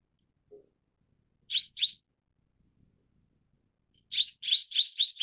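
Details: Mrs. Gould's sunbird calling: a soft lower note, a pair of sharp high chirps, a pause, then a fast string of five bright chirps; faint low background rustle.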